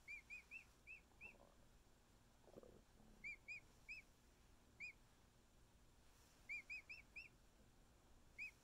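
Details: Week-old male emu chick being cuddled by its keepers gives repeated groups of bright, arched whistled peeps, runs of two to four notes, with a couple of soft rustles in between.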